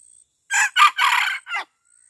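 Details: Male red junglefowl kept as a decoy bird crows once: four loud, harsh bursts within about a second, the third drawn out and the last short and clipped, against a quiet background.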